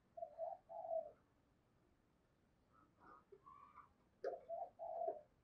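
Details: Spotted dove lure call in the morning, used to draw wild doves: short mellow cooing phrases at the start, a quiet gap with faint other bird notes, then another cooing phrase, over soft background hiss.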